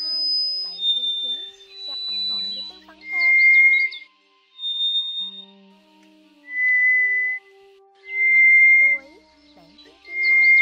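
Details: Scaly thrush call used to lure migrating birds into night nets: long, flat, thin whistles, each about a second, repeated every two seconds or so, with fainter higher notes and murmuring underneath early on.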